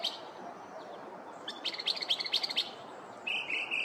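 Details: Morning song of a neighborhood Northern mockingbird mimicking other birds: a burst of rapid bright chip notes followed by a steady, slightly wavering whistled phrase.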